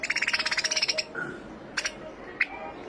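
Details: Finch giving a quick, even trill of about fifteen high chirps within a second. After it come a few scattered single squeaks over soft background noise.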